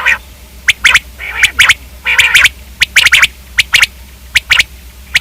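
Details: Batair, the common quail, gives a rapid series of sharp, high, clipped notes in twos and threes, mixed with a few longer rasping notes, over a steady low hum.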